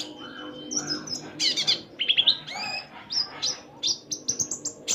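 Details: Common iora, a bird kept to be prompted into singing, giving a varied run of high, thin whistles and short chirps, some rising and some falling, with quick repeated notes toward the end.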